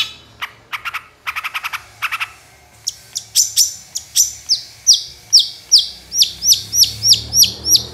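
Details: Long-tailed shrike singing as a lure to draw other shrikes into song. A few dry clicking bursts come first, then bright, slurred whistled notes with a downward hook, repeated about three times a second.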